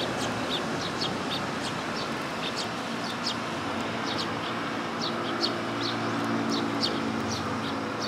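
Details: Willow tit seeking food at a Tenmangu shrine, 1 September 2022: quick, busy series of high thin chirps, roughly three per second and unevenly spaced, over continuous low background noise.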